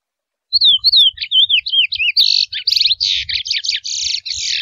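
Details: Song of a wild Chestnut-bellied seed finch (curió mateiro) in forest: about eight sweet slurred whistles in quick succession, then a continuous stream of loud buzzy, rattling notes.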